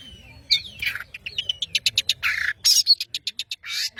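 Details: Long-tailed shrike of the Madura type in energetic song: harsh rasping notes, rapid clicking chatter and squeaky whistles run together in a busy, varied stream.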